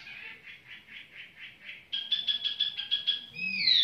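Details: Tiểu mi bird in leisurely song, with a soft pulsing series of notes, then a brighter run of rapid repeated chirps ending in a rising squeaky note.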